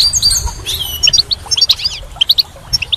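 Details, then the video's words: A goldfinch in spring gives a brief buzzy opening, then a run of sharp, bright chirps spaced a fraction of a second apart, each note clear and high. "Goldfinch's Song"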